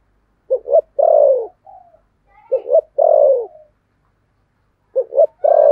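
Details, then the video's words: Spotted dove used as a lure, 'thổ' voice style: three phrases about two seconds apart, each two brief hoots and then a drawn-out descending coo, with faint soft notes between. "Chim Cu Mồi giọng THỔ"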